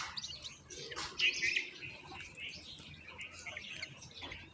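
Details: Common myna chicks in a nest being fed moringa by their mother; short, high chirps and squeaky notes, with a louder burst of bunched, shrill chirps near the middle and softer twittering after it.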